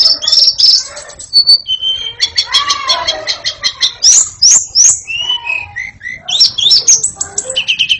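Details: White-rumped shama singing to set young birds chattering, loud and varied: rich slurred whistles, rapid buzzy rattles and sharp upswept notes follow each other without pause, several phrases repeated and changed, on a quiet background.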